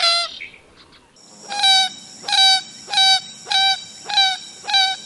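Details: Common gallinule in Wisconsin calling a steady string of loud, nasal, honking kek notes, about two per second, after a brief harsh opening note.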